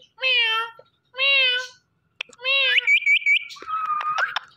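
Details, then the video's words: Pet Indian ringneck parakeet saying "Mitthu": two evenly spaced, voiced, word-like syllables, then a third running into a quick string of looping whistled notes, ending in a thin buzzy trill. "Talking Parrot Saying Mitthu Mitthu"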